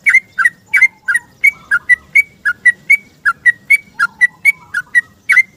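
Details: Yellow-vented bulbul giving a long, rapid 'ropel' song in the morning, seeking a companion, used as a lure. A steady run of liquid whistled notes, each a quick rising-falling chirp, about three per second, with soft lower warbles.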